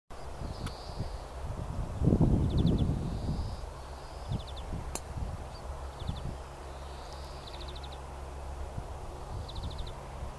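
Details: Greenfinch singing in full voice on the Eden Course in April 2015: faint, drawn-out wheezy notes alternating with brief rapid trills, partly masked by strong low wind rumble and rustling.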